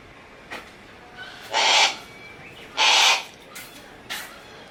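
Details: Captive Harris's hawk at Kakegawa Kachoen bird park, Japan, delighted by the arrival of a favourite keeper, gives two harsh, rasping screeches about a second apart, each roughly half a second long, with faint clicks and soft knocks between.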